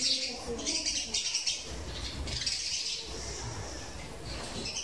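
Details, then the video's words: An Indian ringneck (rose-ringed) parakeet talking to a mirror chatters in short, high chirps in quick, uneven bursts over a steady background hiss. "indian ringneck parrot talking"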